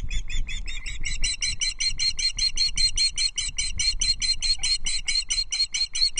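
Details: Osprey chicks on a Loch Arkaig nest, 13 June 2024, are being fed a big trout amid fighting between siblings. Insistent high whistled chirps run rapidly and regularly throughout, growing louder as they go.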